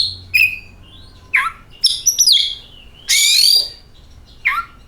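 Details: Oriental magpie-robin lure song: a mix of whistled slides, a rapid warbled cluster, a loud harsh rasp and a closing downslurred note, spaced over several seconds.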